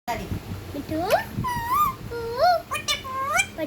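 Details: Pet ringneck parakeet talking indoors: a run of rising and falling tonal, speech-like syllables with harmonics, some short and clipped, others drawn out and wavering, under about four seconds.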